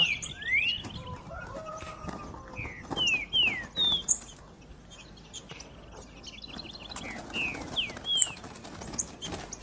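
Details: Green-winged saltator with its 3 nota boi song: bursts of quick, slurred whistled notes repeated several times, separated by quieter gaps with faint chirping and a steady background hiss.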